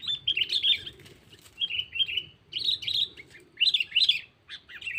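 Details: Sooty-headed bulbul calling a rival, a lure sound: repeated lively bursts of jumbled chirping and warbling notes, each phrase about a second long with short gaps, over a low background hum.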